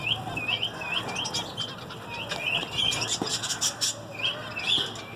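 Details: Zebra finches singing: a steady run of short, nasal, hooked notes repeated several times a second, several birds overlapping against a faint background hiss.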